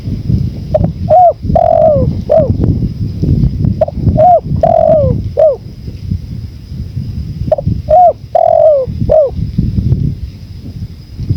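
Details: Spotted dove calls in a bird-training recording mixed with wind: two well-spaced phrases, each a quick double note, an arched coo, a drawn-out falling coo and a short ending coo, with constant low rumble and a faint high hum.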